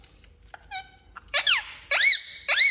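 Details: An angry Indian ringneck parakeet kept as a pet: soft squeaky notes build into three loud, harsh, arching shrieks about half a second apart.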